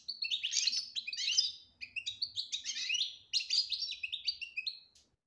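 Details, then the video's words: European goldfinch singing the styles locally called betbta and tasfiya, meant to bring a silent goldfinch into song; rapid, dense twittering of high chirps and trills in three bursts separated by short pauses, with a faint low hum beneath. "بتبتة روعة انتى ولمال نتاعها بتبتة وتصفية الكلام حسونك حايخرج من صامتو"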